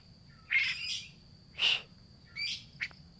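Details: Lure sound of a grey-cheeked bulbul, meant to restart singing in a silent bird. Three rough, scratchy chattering bursts spaced about a second apart, then a short sharp note, over a constant faint high whine.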